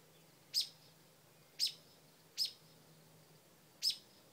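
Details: Mother bird yelling at a dog near her front-porch nest with new babies; four sharp, harsh chip calls spaced about one second apart over quiet background.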